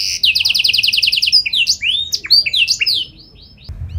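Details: Singing canary with special phrasing, meant to make other canaries respond: a fast series of repeated high notes, then a jumble of swooping whistles and slurs before a quiet end.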